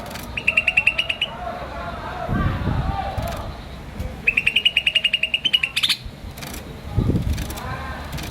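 A green starling gives two quick bursts of a dozen or more high, even chirps, each burst lasting about a second. Low thuds and faint murmuring sit underneath.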